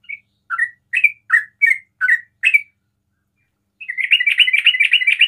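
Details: Sooty-headed bulbul ropel song, said to trigger calling in other bulbuls; spaced liquid chirps, a short silence, then a fast unbroken chattering trill.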